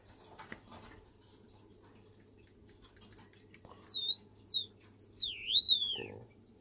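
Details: A pet white Java sparrow indoors on 30 December gives two high, sweeping whistled notes about a second apart, each dipping and rising in pitch, over a faint low hum.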